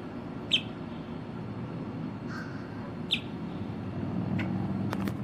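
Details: Female Boat-tailed Grackle singing, recorded in October 2023: two sharp, clipped high notes about two and a half seconds apart, then fainter ticks near the end, all over a steady low rumble of background noise.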